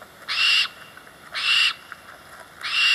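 Barn Owl giving three harsh, hissing screams, each under half a second, roughly one per second, rasping and broad-toned against a quiet background.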